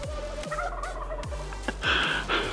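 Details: A wild turkey gobbles in a quick, bubbling rattle from a distance, unseen below a hiking trail on the North Rim of Black Canyon National Park on Memorial Day weekend, with people talking nearby, hikers calling to it, and a louder burst near the end.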